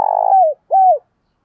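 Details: A decoy Spotted dove in a strong morning lure call. It gives two clear, hollow coos, each level at first and then sliding downward, with a short pause between them.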